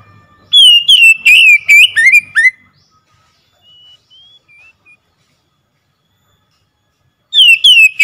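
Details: Oriental magpie-robin song played to provoke a silent bird into singing: a loud two-second run of rapid, ringing whistled notes, then long quiet with a few soft distant whistles, and a fresh loud burst at the end.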